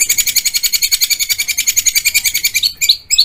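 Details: Rapid-fire 'tembakan' roll from a long-tailed shrike, a dense series of harsh, scratchy high notes pulsing steadily, ending in a few sharper rising chips.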